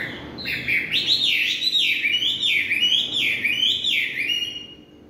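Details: Chinese hwamei singing in the evening: a loud run of rich, looping whistled phrases, each swooping down then up, repeated in quick succession and fading at the end.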